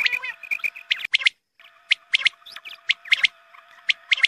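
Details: Quail call for luring birds at dawn prayer time: a quick chirpy burst at first, a brief silence, then sharp, separated chirps in pairs and triplets roughly every half second, with a faint hum.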